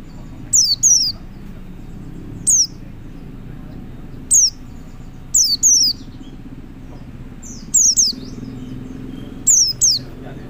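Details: High, thin, falling notes from a male white-eye summoning other white-eyes, delivered singly or in pairs every one to two seconds, against gentle low rumble.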